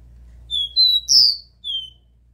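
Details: Copper seedeater performing the pure 'Dó Ré Mi' song, played to stimulate a captive bird: three whistles rising like a scale, the third loud and bright, then a lower whistle begins the phrase again.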